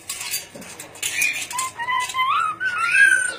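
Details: Ornate lorikeet from Sulawesi giving a run of rising and falling whistled, slurred tonal notes that grow louder toward the end, over a background of light clattering.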